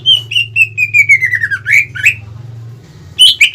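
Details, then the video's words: Greater green leafbird singing at full pace to rouse rival birds: a chain of short whistled notes slides steadily downward, then sharp chirps, a brief gap and fresh high notes, over a low steady hum. "PANCINGAN CUCAK IJO GACOR CEPAT MEMANCING EMOSI LAWAN"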